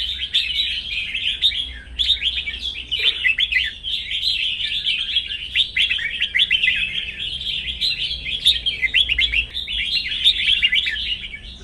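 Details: Bird singing in a morning singing contest, in sunshine after finishing its moult: a continuous, rapid stream of high chirps and warbled twitters, steady throughout, over a low background hum.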